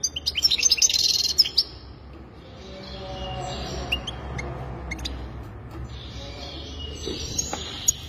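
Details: Goldfinch singing: a bright burst of rapid, tinkling high twitters in the first second and a half, then only faint scattered chirps over a low background hum.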